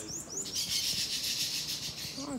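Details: Bananaquit at a campeada singing session: a dense, continuous, very high buzzy trill, with light rustling and a brief low voice at the end.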